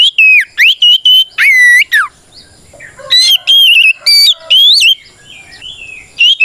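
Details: Fighting song from a White-rumped shama, intended to provoke other shamas: loud whistled phrases with long falling slurs, a short quieter stretch, then more quick ringing whistles and a final rising note.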